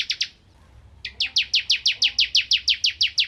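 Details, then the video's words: A bar-winged prinia sings for use as a shama tutor recording: two short chips, a pause, then a steady series of about fourteen loud, high, slurred chirps at an even rapid pace. "Burung Ciblek Kristal Gacor Untuk Masteran Murai Batu"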